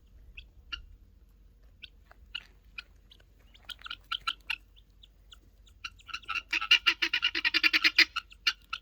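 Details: Helmeted guineafowl giving scattered sharp chirps, then an annoyed bird's loud, harsh, rapid chattering burst near the end, repeated almost twice a second.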